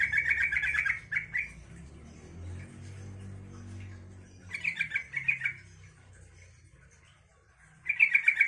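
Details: Yellow-vented bulbul singing to prompt rival bulbuls to answer: rapid, bubbling chattering phrases lasting about a second, broken by quiet gaps of several seconds, over a low background rumble.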